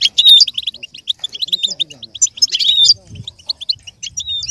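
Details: Goldfinch song to help a goldfinch learn and imitate, with rapid high twitters and clear slurred whistles, plus a faint low voice-like murmur midway.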